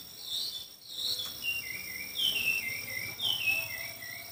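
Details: Chinese hwamei singing during a song contest, long pure whistled notes that dip and slide downward, repeated roughly every second over faint background hiss.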